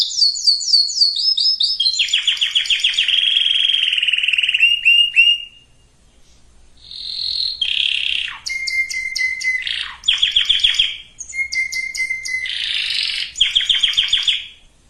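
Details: Canary song meant to stimulate both sexes for breeding, with varied phrases: quick stepped whistles, long buzzy rolls, flat pure whistles and sharp clicking trills, split by short silent gaps.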